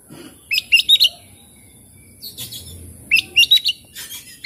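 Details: Oriental magpie-robin song serving as a lure for quiet, stressed birds: a phrase of four bright chirps, a pause, then the phrase repeated twice more, over faint background noise.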